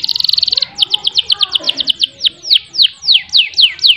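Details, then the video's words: A Belgian canary sings tutor song meant to prompt other canaries into long rolls: a fast rattling roll of high notes, then a slower series of downslurred whistles about four per second, with a faint murmur beneath. "Masteran Burung Kenari Gacor Buat Pancingan Kenari Macet Biar Ngerol Panjang"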